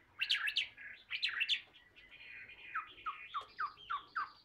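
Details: Tame Chinese hwamei heard more faintly over a low background hiss, giving sharp upward-swept whistles followed by a series of softer descending slurred notes.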